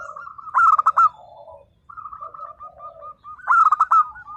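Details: Local zebra dove in lively song, used to prompt silent birds into answering: a loud, rapid stuttering burst of coos, then a softer, even run of short cooing notes, with a lower dove trilling behind, and a second loud burst.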